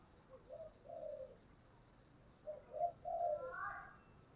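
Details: Spotted dove with a 'thổ'-style voice giving 'thúc' and 'gáy gọi' cooing: two soft low coos, a pause, then a quicker run of three or four deep coos, ending with a higher, brighter note overlapping them; quiet indoor background.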